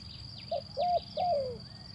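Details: Zebra dove call used as a lure to prompt birds that won't sing: short staccato coos rising into a sustained, slightly wavering note, then a longer note gliding downward, over a steady high-pitched whine and low background rumble.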